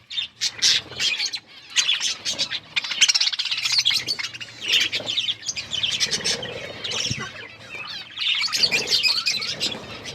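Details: Budgerigars, called Australian parrots, feeding on corn and chirping; continuous overlapping high twittering and chattering from a group, in quick repeated bursts with brief dips, and a faint low hum in the background.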